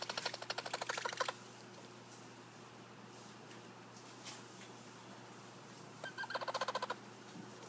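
Collared aracari gives two quick bursts of sharp, clicking notes, about a dozen in rapid series, then a shorter run after a pause, over faint background hiss.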